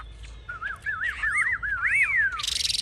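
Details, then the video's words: Caged Chinese hwamei, a fierce fighter displaying with high wings and fanned tail, gives a fluid, lower-pitched run of wavering, looping whistles that ends in a long descending slur, with a brief hiss at the close. "Họa mi chơi cánh cao đuôi xòe"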